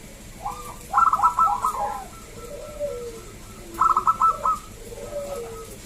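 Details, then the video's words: Wild local zebra dove singing to draw other doves into song: two bursts of quick, bright staccato notes, each followed by gentle descending coos, against a faint background hum. "Perkutut lokal Gacor SUARA ASLI KRISTAL MERDU Ampuh Mengundang Bunyi Semua Perkutut Lokal"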